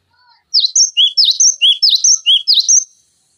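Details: A loud, clean phrase of cinereous tit song used to train other songbirds: ringing high whistled notes in rapid pairs, each note swooping down then up, repeated steadily for about two and a half seconds against silence.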